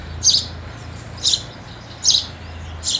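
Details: House sparrow chirps while feeding at New Year 2022: four short, bright high-pitched chirps spaced under a second apart over a constant low rumble.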